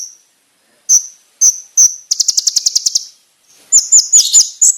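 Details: Konin training master song: a few spaced high chips, a quick rattling trill of about ten pulses, silence, then a jumpy sequence of high notes.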